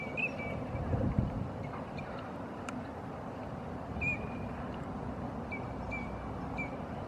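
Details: Eurasian teal swimming on a forest-park pond in late March give short, clear, high whistled notes, single or paired, every second or two, sometimes with a chest-arching movement thought to be courtship, over a low rumble of wind or distant traffic.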